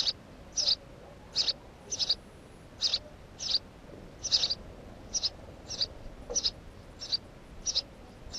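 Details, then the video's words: Near its nest, a house sparrow repeats bright, clipped chirps in an uneven series of about a dozen notes, some doubled, over a quiet background. "Воробей домовый"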